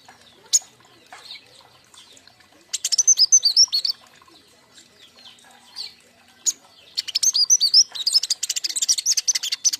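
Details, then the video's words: King konin song meant as a lure and master for fledglings kept together: sharp lone chirps, then a rattling high twitter, and finally a long, dense, fast burst of buzzy chirps. "Kicau andalan KING KONIN"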